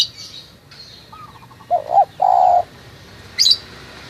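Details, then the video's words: Spotted dove from Munjung Agung, Kramat, Tegal, uttering a single phrase of two short coos and a longer held note, preceded by faint stuttering notes, amid scattered high chirps of other birds. "Suara panggilan tekukur lokal"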